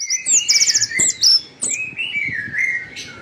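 Orange-headed Thrush singing a varied, high run of slurred whistles broken by a quick buzzy trill and sharp chip notes, all delivered without pause.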